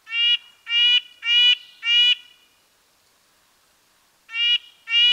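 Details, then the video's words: Nasal, tin-trumpet notes of a red-breasted nuthatch: four rapid honks about half a second apart, a two-second silence, then two more, with a clean, still background. "Red-breasted nuthatch sounds, Sounds of the Canadian Nuthatch"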